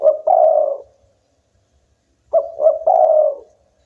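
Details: Spotted dove, a local bird singing strongly, gives two repeated cooing phrases about two seconds apart, each with short lead-in notes and a sustained mellow final coo.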